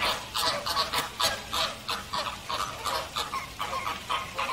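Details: American flamingo group giving quick repeated nasal honks, about three per second, each a short goose-like note, the birds calling over one another in a steady pulse.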